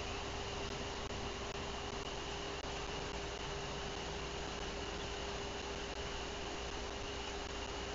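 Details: Constant hiss of static and steady electronic hum, with no eagle or other animal calls.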